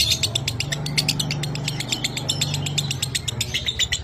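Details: Lovebird in the minor kering song style, from a training recording for pet birds: fast, even chatter of sharp, high ticking notes about four per second, over a low droning hum.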